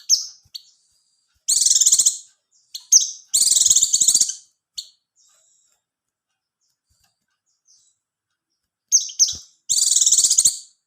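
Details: Oriental white-eye (pleci) song intended to boost breeding readiness and get quiet birds singing: loud, very high, fast chattering trills in several bursts with short clipped notes between, and a long quiet gap before a final pair of bursts.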